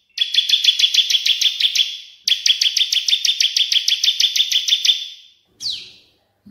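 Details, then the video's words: Cililin and Bar-winged Prinia (ciblek 'AK47') in a tutor recording for songbirds: small birds give fast, high trills of sharp repeated chips in two bursts of several seconds each, then a short descending note. "CILILIN VS CIBLEK"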